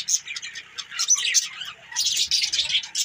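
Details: Budgerigars chattering with rapid, scratchy high chirps in two dense bursts separated by a brief quieter moment.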